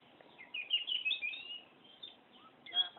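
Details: Oriental magpie-robin (kacer) singing actively in the 'ngerol' style, a long rolling song: fairly faint, continuous warbled and trilled phrases, with a louder clear note near the end.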